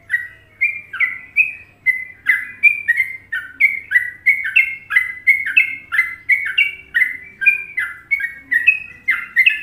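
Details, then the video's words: Trucukan song of a sooty-headed bulbul in Indonesia: a long, steady run of rich whistled notes, alternating higher and lower with short downward slurs, pulsing about twice per second without pause over a faint low hum. "Masteran Trucuk Indonesia"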